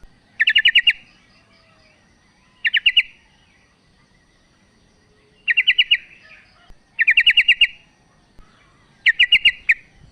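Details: Sooty-headed bulbul female calling to the male, giving rapid rattling bursts of five or six sharp chirps, each burst spaced about two seconds apart, over a quiet background.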